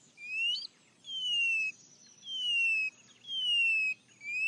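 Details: White-bellied seedeater, known as chorão or patativa chorona, singing plaintive, drawn-out whistles that slide downward, four long notes about a second apart, with faint high thin tones above and a quiet background.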